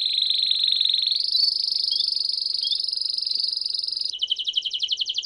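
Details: Campainha-style song of a Belgian canary, meant to stimulate other canaries: a long steady high rolling trill that steps slightly higher midway, then breaks into a coarser, slower pulsed trill.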